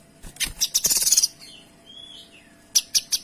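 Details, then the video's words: Kinoy singing, a tutor recording: a fast dense rattle of sharp high notes, a soft sliding whistle, then three loud, evenly spaced chips. "Suara Kinoy Gacor Tembakan Rapat dan Jernih"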